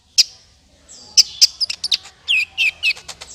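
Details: Sunbird, known locally as kolibri ninja, in a recording used as a trapping lure. Sharp, very high chips and short downslurred whistles come in an irregular burst, growing busier toward the end. Faint low hum underneath.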